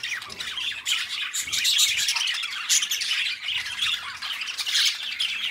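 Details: Two pet budgerigar companions chattering, continuous dense warbling with scratchy squawks and quick chirps, steady and busy throughout.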